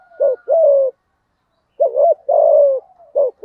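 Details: Spotted dove cooing in thổ style meant to stir a rival male: low paired coos, a quick doubled note then a longer falling hoot, separated by a brief silence.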